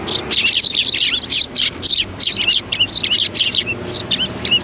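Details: A flock of sparrows greeting in front of a cultural hall on 7 February 2020: dense, overlapping high chirps and tweets in quick succession, with scarcely a pause across the whole stretch.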